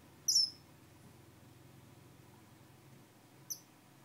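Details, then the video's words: Star finch giving two short, very high, thin call notes, the first a sharp downward-slurred chip and the second softer about three seconds later, over a quiet low hum. "Star Finch"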